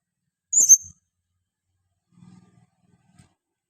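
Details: Female blue-crowned hanging parrot used for luring: one loud, piercing, high thin call, followed by soft low rustling and tapping sounds.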